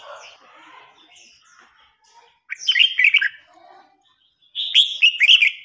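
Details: Red-whiskered bulbuls in a singing contest, an old wild-caught bird challenging a young newly caught bird that grows provoked and fired up; two loud bursts of quick warbled, slurred notes, each about a second long, separated by quieter chatter.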